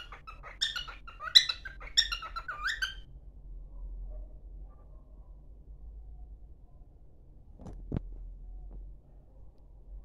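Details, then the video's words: Pet cockatiel singing indoors while running toward another cockatiel: a burst of about five bright, warbling whistled notes with rising and falling inflections over the first three seconds, then near silence with a faint low hum and a single soft thump near the end. "Nick cantando e correndo para Kiki"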